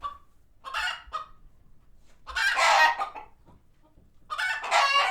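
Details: Barnyard chickens alerted by a nearby hawk, retreating to coops at a farm sanctuary; a few sharp isolated clucks, then two long loud harsh squawking bursts separated by a quiet gap.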